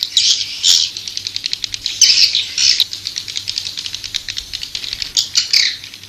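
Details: Swiftlets calling, buzzy chirping bursts alternating with quick trains of clicks, fairly close and loud, with a faint low hum.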